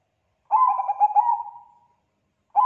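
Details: Bangkok-type zebra dove in full song, kept as a lure to draw answers from other zebra doves: one clear phrase of rapid bubbling coos that slows into a long fading note, with the next phrase just starting.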